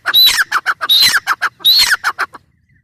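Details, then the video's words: Three harsh phrases from a grey francolin, each a thin whistle followed by several rough, squawking notes, fading out at the end. "Teetar ki awaz | teetar sound | El sonido de una perdiz | Suara ayam hutan | teetar voice"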